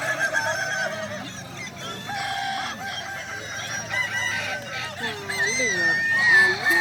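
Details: Crowing contest of Kukuak Balenggek chickens, Danau Bawah, 6 October 2024: many roosters crow at once, drawn-out calls with stepped, undulating endings rising and falling, while spectators talk throughout.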